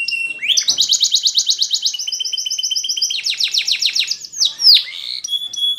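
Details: For training, a Spanish Timbrado canary delivers a rapid metallic trill held for seconds, switching to a lower rolling trill, then bursts of quick notes, sharp downward sweeps and brief high whistles.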